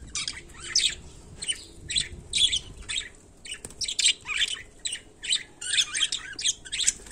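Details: Budgerigar in daily life giving a run of rasping squawks and chirpy chatter notes, several per second, in uneven clusters against a quiet background.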